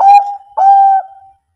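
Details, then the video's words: Zebra dove of the Bangkok type giving its bekur cooing song, meant to coax silent birds into singing. Two smooth, sustained, level coos, the second longer and fading out, with no other sounds. "PERKUTUT BANGKOK MBEKUR NGEROT AMPUH buat PANCINGAN MALAS BUNYI jadi NYAUT ikut MANGGUNG"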